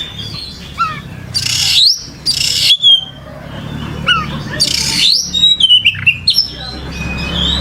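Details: Kacer, or oriental magpie-robin, in gacor song: scattered high whistles and two loud buzzy bursts, then a fast series of short chirped notes, over a steady low hum.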